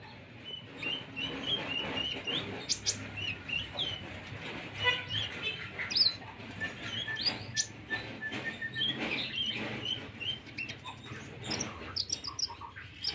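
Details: Olive-backed sunbird singing a song filled with cricket imitations: busy, high chirping and twittering notes tumble over each other against steady background hiss and low hum.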